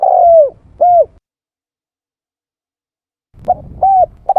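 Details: Spotted dove lure call: one drawn-out descending coo and a short arched coo, then silence before further brief hollow coos start, with a faint low rumble under the notes.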